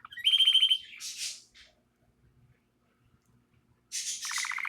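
A canary's high, rapid trills open and close the phrase, with harsh, scratchy bursts between them and a short quiet gap in the middle.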